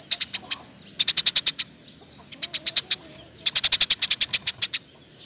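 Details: Eurasian tree sparrow in a training recording for songbirds, singing vigorously in the dense rapid 'nembak' style: bursts of about six to ten sharp high chirps in quick succession, separated by short pauses.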